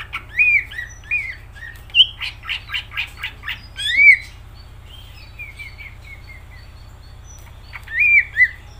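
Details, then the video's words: Greater green leafbird in lively song: loud whistled phrases mixed with a rapid burst of harsh, buzzy notes, a softer run of short whistles after the middle, and a final pair of slurred whistles, over a low hum. "Cucak ijo gacor"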